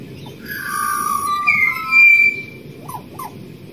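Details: Wild pied butcherbird in Australia gives smooth, sustained whistled notes that rise to a bright high tone, followed by two short, quick upward-flicking notes, with a soft background murmur.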